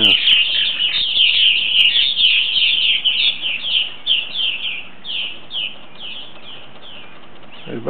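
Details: Purple martins, about ten of them, dropping in for the night; a rapid, dense stream of liquid chirps and twittering notes that fades gradually toward the end.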